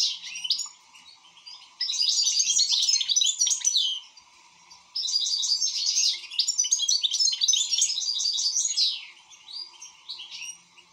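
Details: Singing European goldfinch, two long, dense phrases of quick, rippling twitters and buzzy trills separated by a short silence, with a low hum behind.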